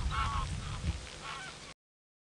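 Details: Greylag goose (Anser anser) in the UK giving its classic farmyard-goose honk: harsh, nasal honks in two main bursts about half a second apart, with low rumbling background noise.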